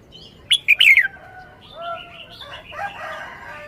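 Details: One loud red-whiskered bulbul phrase: clipped notes leading into a falling, rolling warble. It is followed by a jumble of softer whistles and chatter from other birds.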